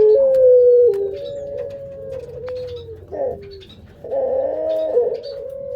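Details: Breeding Barbary dove cooing at close range: a long, steady, mellow coo stepping down in pitch, a gliding falling note, then a rough rolling phrase ending in a steady held coo.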